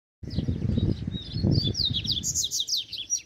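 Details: Wild, free-flying double-collared seedeater drawn toward a caged bird, singing rapid chirped and slurred notes high in pitch, building into a denser burst of sharp descending strokes, over a heavy low rumble of handling and wind.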